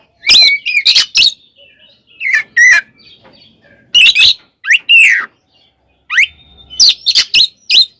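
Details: Fighting song of an Oriental magpie-robin, played to provoke other magpie-robins; loud clusters of sharp whistles and chattering notes alternate with quiet gaps, including a steep rising whistle near the end and faint background twitters.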